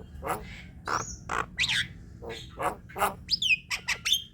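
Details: Javan myna chatter meant to prompt silent birds to sing, heard as a jumble of harsh rasping notes, short squeaks and a few sharp whistled slides, fairly quiet with gaps between sounds.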